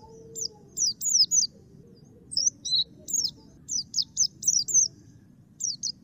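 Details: Black-capped white-eye uttering short clusters of sharp, high, zigzagging notes separated by brief pauses, over faint low background noise.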